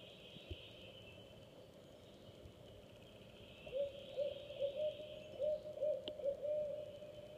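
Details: Barred Owls, a female on the nest with two-week-old owlets and a hunting male, chant to one another: a quick run of about eight short, low hoots over three seconds, over a steady hum and higher whine.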